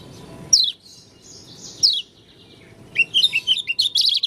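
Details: Oriental white-eye, Lombok leaf type with an unusual voice: two sharp descending high whistles, a pause, then a quick burst of bright twittering notes at the end.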